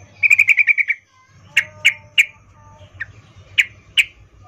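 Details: Female yellow-vented bulbul calling a male with a breeding-season 'ngecuplik' call: a rapid rattle of about eight notes, then scattered single sharp chips spaced about half a second apart, over a low hum.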